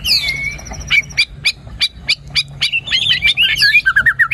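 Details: White-rumped shama song as a singing lure for a quiet bird: spaced sharp chip notes about four per second, building into a fast warbling run of bright whistled phrases.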